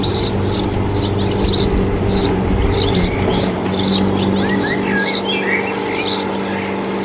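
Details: Eurasian tree sparrow breeding in a nest box, giving short, high chirps about twice a second, with a few lower twittering notes, over a steady low engine hum.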